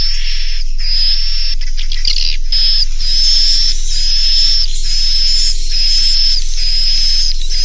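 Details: Naga Mas style inap call of the edible-nest swiftlet, used in swiftlet farming to make young birds stay overnight; a few broken clicks at first, then a steady run of buzzy, whistle-topped chirps about once a second.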